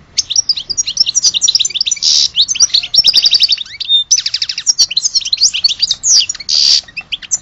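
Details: European goldfinch from Algeria in sustained song: tumbling tinkling twitters, buzzy wheezes, a clear whistle and fast trilled series flowing continuously.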